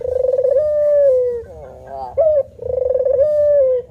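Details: Male spotted dove (puter) giving vigorous manggung cooing: a pulsed buzzy opening slides into a long, steady, low hooting coo. A brief bent higher note follows, then another long drawn-out coo. Quiet background.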